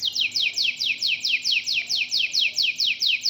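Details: Local domestic canary singing, a rapid series of downward-sweeping whistled notes repeated about twice a second, high and bright, steady throughout.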